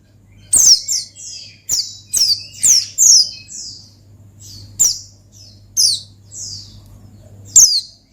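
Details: Provoking song of an Oriental white-eye, the gacor ngalas meant to call out a rival: a run of bright, high, falling whistled chirps repeated at irregular intervals, with a constant low hum behind.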